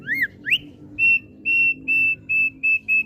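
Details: Two rising slurred notes open the song of a kept Thick-billed heleia, followed by six steady, level whistles repeated at a regular pace over a soft low hum.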